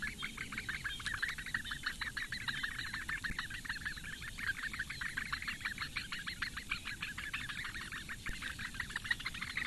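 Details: Four Eurasian bittern chicks being fed breakfast by the female at a webcam nest in Lake Engure reedbeds, Latvia, 15 May 2017 at 08:46; rapid, steady train of short ticking calls, several per second, continuing without pause.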